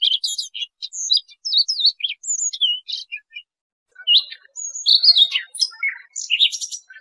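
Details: Trapping lure of Siberian rubythroat song: rich, rapid warbling of high whistles and scratchy notes, a short silence near the middle, then a denser, harsher twittering phrase.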